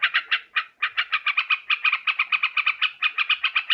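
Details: Bird-catching lure recording of yellow-vented bulbul: rapid rattling series of burry, scratchy notes, repeated about four times a second with slight pauses near the start.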